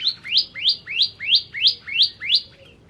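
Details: Bar-winged prinia (Prinia familiaris, "ciblek kristal") tutor song for training birds: a fast series of seven bright, upslurred, high notes, about three per second and evenly spaced, with no other sounds.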